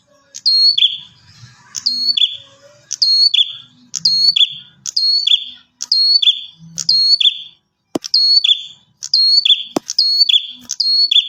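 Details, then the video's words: Lively bar-winged prinia meant to prompt other prinias to reply: a clean string of eleven high phrases, each a sharp whistled note dropping into a buzzy slur, spaced about a second apart, with two brief clicks near the end. "Suara Burung Prenjak Atas Gacor"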